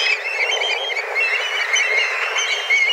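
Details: Dozens of black kites wheel overhead, calling fiercely while searching for food; a dense chorus of thin, high whistles blurs together, with a few clearer drawn-out notes.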